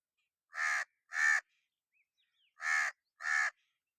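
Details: Cawing crow giving two pairs of loud, harsh, rasping caws, each pair closely spaced, separated by a short pause with faint soft notes.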